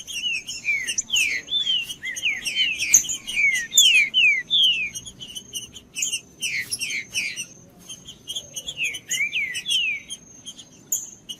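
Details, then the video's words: Song of a Pale-breasted thrush, a species prized by breeders for singing tournaments; long run of varied whistled and slurred notes, about two to three per second, in bursts separated by short gaps, with a faint continuous high tone behind. "TRINCA-FERRO CANTANDO"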